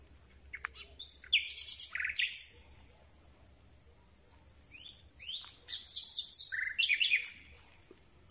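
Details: Common Nightingale singing in darkness at close range: two varied phrases mixing sharp chirps, buzzy bursts and whistled notes, a brief pause between them, with light background hiss.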